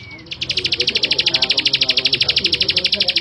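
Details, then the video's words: Song of a male bar-winged prinia: after a faint short whistle, a steady rapid train of sharp high notes starts and continues evenly, roughly ten per second, over quiet background. "Suara Ciblek Sawah Jantan"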